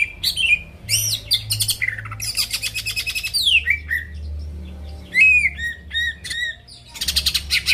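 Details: Greater green leafbird singing vigorously to trigger rival birds: harsh buzzy rattles, steep descending whistled slides and short sharp chirps in quick succession, over a faint low background hum.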